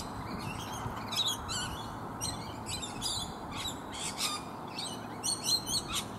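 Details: Rainbow lorikeets feeding in numbers on bottlebrush flowers high in a tree make a dense run of short, harsh screeches, about two each second, overlapping from several birds.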